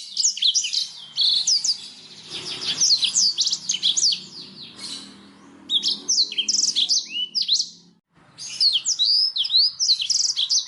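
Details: Clear, high Black-throated canary song, played for training caged songbirds such as canaries: fast runs of bright whistles, downslurred notes and twittering trills in several bursts, broken by a brief silence late on.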